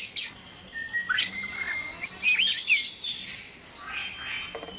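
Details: Dawn noise from white-rumped shamas kept in a breeding cage: a short held whistle, then a burst of twisting high whistled notes, followed by scattered sharp chirps.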